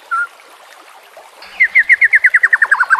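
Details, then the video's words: White-rumped shama (murai batu) song from a training recording with flowing water and nature sounds: a lone short note, a pause, then a fast run of about fifteen clipped, repeated chipping notes. "Terapi Murai Malas Bunyi Dengan Pancingan Mewah Isian Terbaik"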